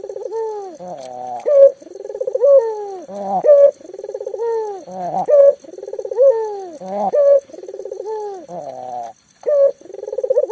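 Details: Local spotted dove, a lively caller used as a lure so mute doves start calling, giving deep, throaty cooing phrases with rolling notes, repeated about once a second in steady bursts, with no other sounds.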